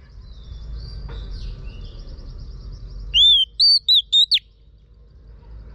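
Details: Female Oriental magpie-robin whistling to encourage a male to sing: after faint distant chirps, a crisp phrase of five short whistled notes, arched and upswept, over a steady low hum.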